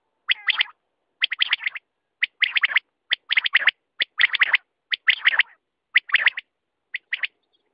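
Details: Quail repeating clusters of rough, buzzy notes about once every second, each burst of three or four quick pulses, evenly paced throughout.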